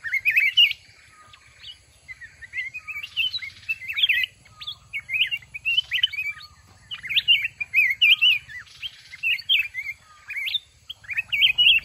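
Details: Red-whiskered bulbul in a fighting contest at a trap, pouring out a long, continuous run of quick liquid whistles and chirps, with only brief gaps.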